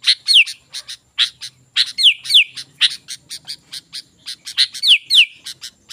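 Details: Sooty-headed bulbul singing energetically, used as a lure to draw wild bulbuls: rapid series of sharp, bright chirps with a few clear downslurred whistles, about three notes per second, irregular rhythm, faint low hum beneath.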